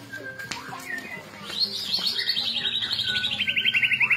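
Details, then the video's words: White-rumped shama singing: a long rapid rattling trill, sliding slightly downward and repeated many times per second over the second half, preceded by scattered chirps and clicks; low hum in the background. "Murai Batu Akan Emosi dan Cepat Gacor"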